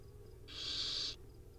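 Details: A single loud, even, breathy screech lasting just over half a second, given by wild owl chicks at dinner time on a live nest camera, with quiet hum before and after.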